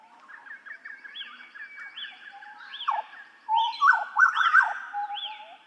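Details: Hooded butcherbird of Papua, training master: repeated upward-swept, arched whistles about once a second above softer chattering notes, building into loud, rich fluting phrases near the end.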